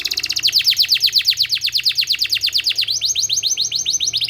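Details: Canary singing as a therapy sound for training canaries: loud rolling trill of steeply falling notes repeated rapidly, shifting to a higher, thinner series of quick sweeps near the end.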